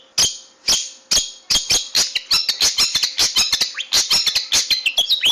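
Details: Long-tailed shrike song used as a training recording for caged birds. A few loud, spaced, cracking notes quicken into a dense, scratchy chatter of sharp clicks and short rasping phrases. A faint low hum persists throughout.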